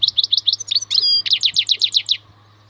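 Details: Short excerpt of wild European goldfinch song: a quick series of sharp, evenly spaced chirps around a brief drawn-out nasal note, then another even string of clipped tweets; a low steady hum runs underneath.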